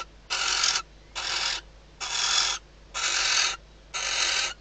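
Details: Inside a nest box in the Ebro Delta at night, a female barn owl calls to her arriving mate shortly before hatching. Five rasping, hissing bursts of about half a second each, roughly one per second.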